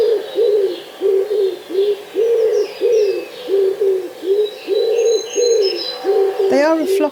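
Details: Common wood pigeon singing in a garden in Hampshire, UK, 2020: a steady run of soft, low, hollow coos, about two per second, with faint higher chirps from other birds and a sharp clatter near the end.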